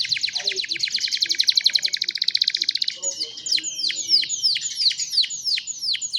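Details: Young canaries singing to train other canaries, recorded on a cellphone: a fast buzzy trill for three seconds, then a run of downward-swooping whistled notes repeated about every half second.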